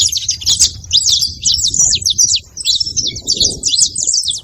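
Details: Saffron finch chattering: bursts of sharp, high, rapid chirps in short runs separated by tiny gaps, with faint low-pitched background noise throughout.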